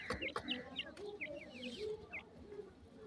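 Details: Grey francolin chicks giving short, thin, downslurred peeps, scattered and irregular, over soft low clucking and faint background rustle.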